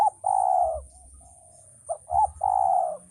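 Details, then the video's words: Male spotted dove ending a long steady coo, then after a pause giving another phrase: two short notes and a drawn-out, even, mellow coo. "suara burung tekukur"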